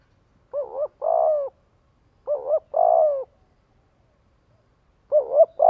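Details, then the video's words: Spotted dove's luring call to gather others: repeated phrases of a quick doubled coo followed by a longer buzzy coo, three times roughly every two seconds, with silence between. "Tiếng chim cu gáy kích bổi gọi bầy hiệu quả."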